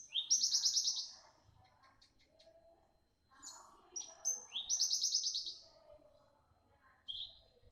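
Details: Young bush lark in full, sharp song: high rising buzzy trills and thin whistled notes in bursts, with softer lower chatter between phrases.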